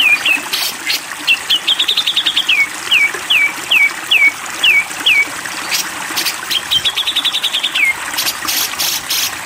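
Grey-cheeked bulbul giving rapid sputtering bursts mixed with sharp downslurred whistles, about two per second. Trickling water runs behind.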